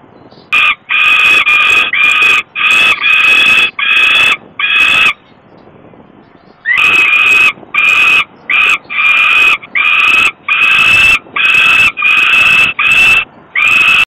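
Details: Falcon chick at a nest in Włocławek, Poland, on 27 May 2022 around 20:06, crying from hunger while hiding under the camera as her father arrives with food; rapid series of harsh screeching wails, a pause, then more cries.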